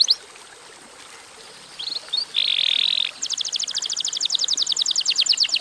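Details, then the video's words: Canary song for prompting other canaries: quiet start, a few high chips, a short harsh buzzy burst, then a steady rapid high-pitched trill of even repeated notes. "kenari gacor durasi pendek cocok buat pancingan kenarimana pun lansung Yau gacor"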